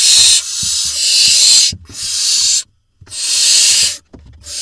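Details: At an Israeli barn owl nest box on 23 June 2021, with the father bringing a vole, long harsh breathy hissing screeches repeat in bursts, broken by brief pauses and faint scuffling.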